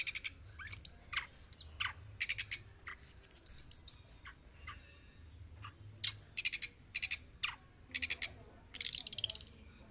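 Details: Hand-raised pet long-tailed shrike, now grown, singing in bursts of sharp, scratchy, high clicks and rattling chatter mixed with short downslurred notes, in irregular groups separated by brief pauses.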